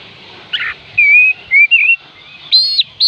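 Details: Oriental magpie-robin song meant to coax lazy birds into singing: a short rough note, then level and gently wavering pure whistles, ending in a higher double-toned whistle.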